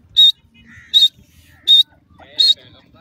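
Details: Black francolin in a forest in the early morning: short harsh, high bursts repeated about every three-quarters of a second, with quieter low background sounds between them.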